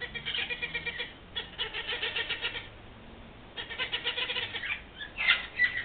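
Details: Wild parrots in a huge flock visiting a yard in Los Angeles: harsh, raspy squawks in overlapping bursts, pausing briefly and resuming, with one thinner, higher squeal near the end.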